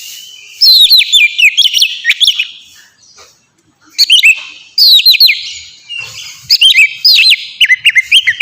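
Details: Melodious 'ngeplong' song of a pet Oriental magpie-robin, used to lure and train birds: looping whistled notes in short phrases, with quiet gaps between bursts.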